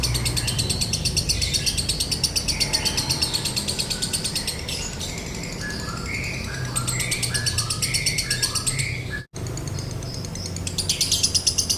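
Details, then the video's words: Lovebird konslet song, dry-toned, for use as a tutor recording: rapid raspy chirping runs, broken in the middle by a series of clearer stepped tonal notes, then a brief dropout before the chatter returns. "MASTERAN LOVEBIRD KONSLET NADA KERING | PANCINGAN SUARA LOVEBIRD KONSLET"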